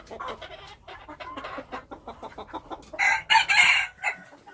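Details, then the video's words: Wild chickens: a run of short, choppy clucks and notes, then a loud, harsh, broad crow near the end that lasts about a second. "Noob qaib qus Qaib dib qua zoo - wild chickens"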